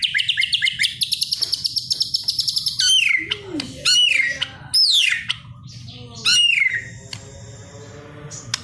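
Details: White-rumped shama in full melodious song: a rapid high buzzy trill, then loud clear whistles swooping steeply downward, repeated several times, with a constant low hum beneath.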